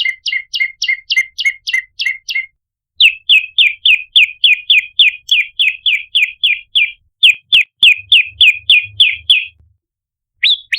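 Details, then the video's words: Prinia lure recording, Indonesian 'pancingan' style used to attract birds: rapid series of sharp, bright chirps repeated about three times per second, first a steady two-tone chirp then a downslurred variant, with faint low thumps near the end. "Prenjak Gacor - Variasi Tembakan Pancingan Prenjak Lumut - Masteran Suara Pikat Prenjak Kepala Merah"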